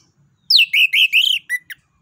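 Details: Orange-headed thrush, a Southeast Asian songbird, in 'ngeplong nembak' song used for training other birds: a run of rich, slightly buzzy whistled phrases falling and rising, closing with two short clipped notes.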